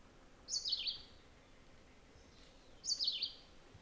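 Rose-throated tanager giving two short, high, slurred calls that drop in pitch, about two seconds apart, over a faint background hiss.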